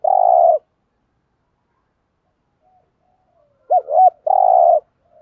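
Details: Urgent cooing of a spotted dove of the local field type, used to lure and provoke wild males. A long low rolling coo, a pause, then a looping double note and another rolling purr. The background is otherwise quiet.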